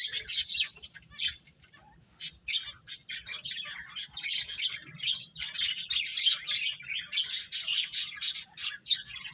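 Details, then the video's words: Several finches playing and chirping, a steady stream of rapid high twitters and buzzy notes that grows denser and louder after the first two seconds. "Beautiful Birds Chirping Sounds | Cute Finches Playing"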